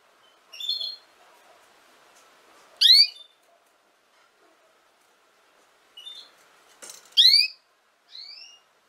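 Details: Canary played for teaching young canaries to sing: sparse, clear high notes. A short note comes first, then loud upward-sweeping notes with ringing overtones near three and seven seconds, then a thin whistle at the end. Quiet pauses separate the notes.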